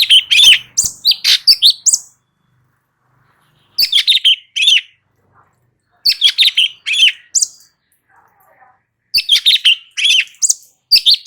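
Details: Light-vented bulbul in energetic song, used as training audio to make other birds respond: bursts of bright chirps and rising whistled notes in quick runs, separated by pauses of about two seconds.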